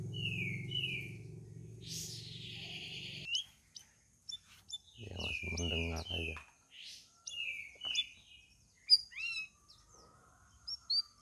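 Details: Sooty-headed bulbul kept in a cage, fourth day of care, responding to other birds: short whistled notes repeated in quick clusters, some upslurred, interrupted by a man speaking nearby.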